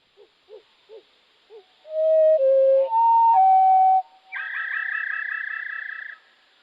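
A Wood Thrush song slowed to half speed: four soft low notes, then clear held flute-like whistles, ending in a long rolling trill.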